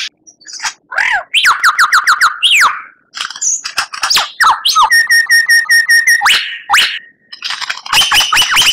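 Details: White-rumped shama singing full isian for teaching captive murai batu in Indonesia: varied whistled slurs, falling and rising notes, a steady series of repeated piping notes at one pitch, and loud rapid final bursts.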